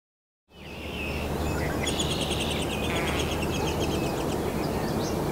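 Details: Downy woodpecker nestlings, at least three, begging inside a nest cavity while adults bring food in late May and early June; high buzzy chattering notes in rapid strings after a short silence, over steady low environmental rumble.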